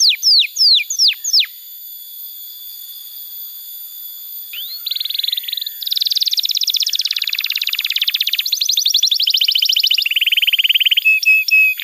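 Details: Canary singing as a tutor for young birds: several loud descending slurs, a near-silent gap, then varied rolling trills switching between higher and lower pitches, ending with short sharp notes.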